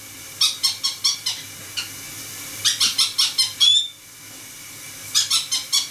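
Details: Four pet conures indoors in a shower, where the running water stimulates one to squeak while the others chatter: bursts of shrill, harsh squeaks repeated in quick runs, a pause, then another rapid series.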